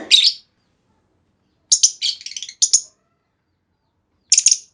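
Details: Female lovebird giving a lure call meant to prompt other lovebirds into long trilling; a few shrill, harsh chirps, one at the start, a quick cluster near two seconds, and a final burst, with silence between.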